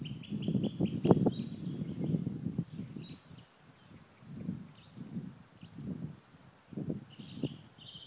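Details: Black grouse in the eastern Ore Mountains on 2 April 2016: low, rolling bubbling phrases pulse steadily through the clip, with thin high chirps and whistles from other birds above and faint rustling.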